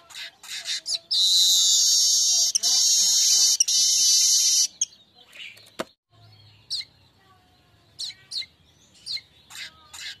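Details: Streaked weaver song from a lure recording to stimulate singing: a few high chips, a long, loud buzzing sizzle over three seconds, then a pause and widely spaced, thin, sharp notes.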